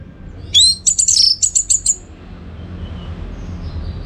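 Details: Orange-headed thrush (anis merah) contest training song from Bali: a brief rising whistle followed by a fast run of about seven high, clipped chirps, then quiet background.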